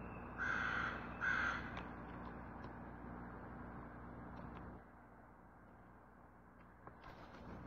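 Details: Crow recorded on 20 February 2022, giving two harsh, broad caws in quick succession near the start, then quiet background with a steady low hum and a few faint clicks.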